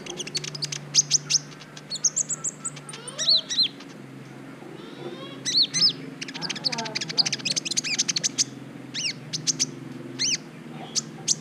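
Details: Brown-throated sunbird on a tutor recording for provoking other birds' breeding urge: long, varied sequences of high chirps, arched notes and quick twitters, nearly continuous with short breaks.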